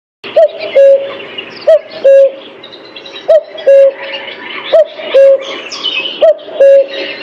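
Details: Cuckoo calling a two-note cu-coo, the first note higher and bent, the second lower and level, repeated about every one and a half seconds, with faint chirps of other birds behind.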